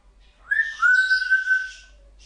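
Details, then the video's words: Young female African grey parrot, under one year old, kept as a pet indoors: a single clear whistled note, briefly rising then held steady and level for about a second, with faint breathy noise above it. "African Grey Parrot Casper Talking Loads"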